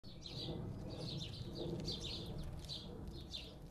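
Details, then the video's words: House sparrows squabbling on a garden bird feeder give a string of short, bright, sharp chirps in quick clusters over a steady low rumble of background noise. "The house sparrows squabbling on the garden bird feeder again"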